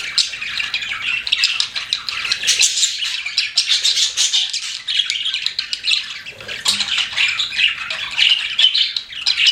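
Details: A group of pet budgerigars chirping steadily, overlapping squawks and warbled chatter with small gaps and a faint low sound near the middle.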